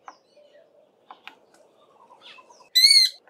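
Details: Knysna woodpecker pecking for insects and larvae in tiny holes in a branch of a large tree, with a few faint scattered taps, then one loud, drawn-out harmonic screech near the end.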